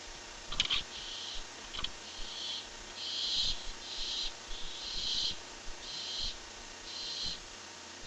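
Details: On July 23, 2015, as an owl brings in a rat, a barn owl gives a run of about eight rasping hisses in quick succession, mixed with sharp clicking and tapping noises, against a low hum.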